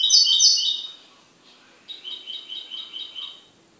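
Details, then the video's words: Domestic goldfinch sings a loud, bright twitter, pauses, then gives a rhythmic series of chirpy notes, about four a second. "MI JILGUERO"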